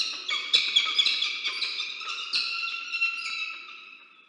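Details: Peregrine falcons at an Orange, New South Wales, Australia nest during egg incubation, 27 August 2023, at a food delivery. Harsh, grating notes repeat about twice per second, then fade into a softer, trailing whine.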